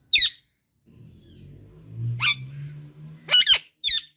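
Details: Indian ringneck parakeet uttering loud, raspy squawks, single shrieks spaced apart with a low rumbling hum from a room or machine between them.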